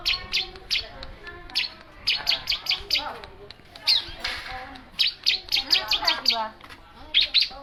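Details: Long-tailed shrike giving bursts of high, sharp chirps in uneven clusters, some rapid and doubled, mixed with softer lower warbled notes underneath.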